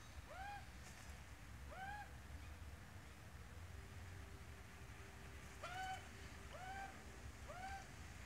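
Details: Adult Australian magpie with a chick: arched harmonic calls, two near the start, then a pause with a faint steady tone, then three more in quick succession, over persistent low background noise.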